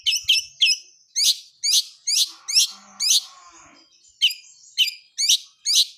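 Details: Wild long-tailed shrike of the blangkon type singing vigorously in full-fill style: sharp, harsh high chirps given singly or in quick pairs, separated by short pauses, with a faint low murmur in the middle.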